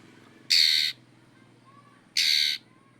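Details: Oriental magpie-robin, kacer, calling out a rival with two loud, broad, grating rasps, each under half a second, about one and a half seconds apart, over faint background hum.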